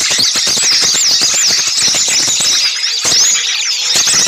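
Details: Noisy small birds used to lure others for trapping: high looping squeals and wavy whistled notes over a dense twitter, with a rapid run of ticking clicks in the first half.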